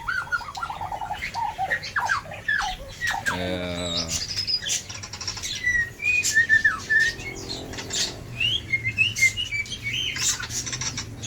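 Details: An Aceh White-rumped Shama in an aviary, described as jealous and angry, sings a varied run of clear whistles with falling notes early on and a harsh rasping burst midway. Chirps overlap and a person speaks briefly.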